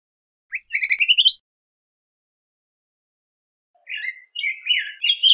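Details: Yellow grosbeak song: two bursts of warbled, slurred whistled notes, the first a quick rising run of chirpy phrases, the second a longer, richer warble after a pause, with a clean, silent background.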